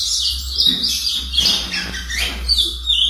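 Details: Young ultramarine grosbeak in brown plumage, aged four months, trying out its first notes: a jumbled warble of high twittering phrases and downslurred whistles, delivered almost without pause over a steady low hum.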